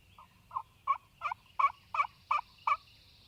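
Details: Wild Turkey gobbler in spring in Mississippi, calling in the morning: a series of eight loud, evenly spaced pulsed notes, each a short throaty burst, growing stronger after the first two, over a quiet rural background.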